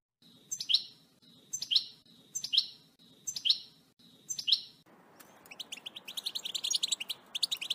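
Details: Excited European goldfinch, batbata-style singing: first five sharp, slurred high call notes repeated about once a second over soft background hiss, then a switch to rapid, continuous high twittering.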